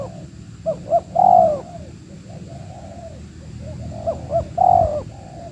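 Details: Spotted Dove in the wild, reacting during a trapping session that targets a bird with a big voice: two phrases, each of quick short coos leading into a long resonant coo, with a soft high hum throughout.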